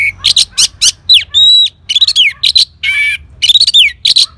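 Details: Orange-headed thrush answering a lure sound with a loud, varied song of rapid chirps, a sustained pure whistle, slurred rising and falling notes and a buzzy note, delivered almost without pause.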